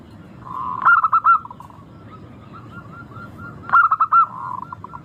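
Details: Zebra dove, local type, clear crystal-toned song used to draw birds into singing: two quick bursts of bubbling coos with gentler repeated coo notes continuing in the background.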